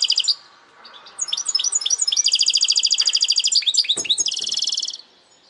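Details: Mixed-bred goldfinch singing a lively phrase of rapid twittering notes that runs into a long, fast, metallic trill, ending with more tumbling chirps, plus a short low thump midway.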